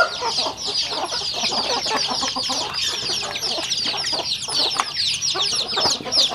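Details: Home-raised rural chickens feeding together, producing a dense chorus of high, downward-slurred peeps repeated rapidly and overlapping throughout, with soft clucks underneath.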